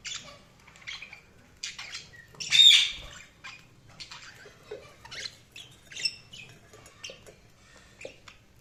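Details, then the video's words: Budgerigars chirping in short scattered bursts, sharp high notes spaced irregularly with brief pauses between them, one louder harsh squawk near the start, otherwise quiet background. "Budgies Chirping sound"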